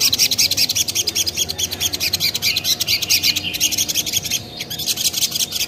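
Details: Spiderhunter, known locally as sogon, singing a lure song meant to make other spiderhunters answer: a fast, steady stream of sharp high chips, densely repeated for the whole stretch without pause.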